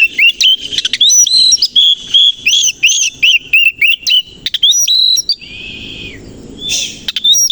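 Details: Oriental magpie-robin, koci type, fluffed and tail open on a morning. It gives loud, rapid whistles and chattering notes, about three to four per second. A short, buzzy, falling phrase and a pause follow near the end.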